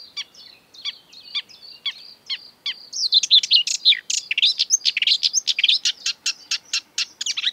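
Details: Marsh warbler in lively song, borrowing from European and African birds. Thin whistles alternate with clipped notes at first, then a rapid, varied cascade of sharp ticks, trills and twangy slurs runs on continuously at high pitch.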